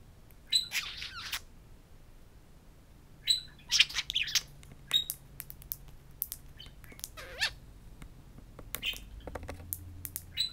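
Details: Two pet budgerigars at a mirror indoors, in bursts of scratchy warbling chatter and sharp clicks separated by quiet gaps, with a faint low hum in the room.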